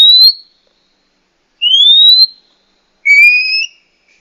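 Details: Female Oriental magpie-robin calling to get a male singing: three whistled notes about one and a half seconds apart, two pure rising whistles and a final paired-tone upslurred note, otherwise quiet.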